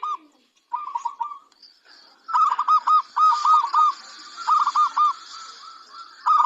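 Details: Local zebra dove singing actively, used as a training recording to prompt other birds to answer. Series of short, arched, cooing notes repeated in quick bursts, with a brief faint phrase before a louder stretch.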